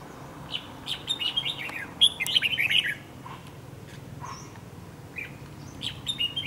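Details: Wild-caught red-whiskered bulbul with a dark bib, kept as a trap decoy for fighting. Delivers a burst of rapid chirpy, warbling notes, then quieter scattered chirps and a few more notes near the end.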